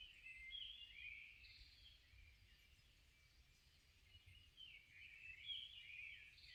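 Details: Morning birdsong in a cypress forest after rain, recorded 15 June 2021; bright whistled, twittering phrases come and go without pause, with soft low background noise beneath.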